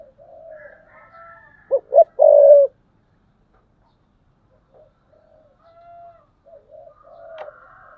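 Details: Spotted dove decoy in thúc bổi calling, 2022: soft, low cooing surrounds one loud phrase of two brief coos and a long, purring coo, with a sharp tap near the end.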